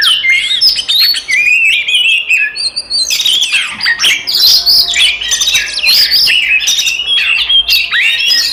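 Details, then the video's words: Oriental magpie-robin singing a fighting song that provokes other magpie-robins: long, rich medley of sweet whistles, rapid chirps and sliding notes, growing denser and louder in the second half. "SUARA BURUNG kacer gacor TARUNG konslet paling AMPUH buat PANCINGAN KACER EMOSI"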